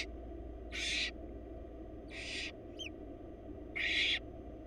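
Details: Wild barn owl nestlings in Florida beg as their mother feeds them: three harsh, hissing screeches about 1.5 seconds apart, with a brief high chirp between the second and third, above a low hum.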